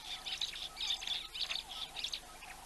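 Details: African hawk-eagle calling on a wildlife live stream, giving a quick series of high, sharp yelping notes roughly every half second, each burst busy and chattering, with faint background noise from the outdoors.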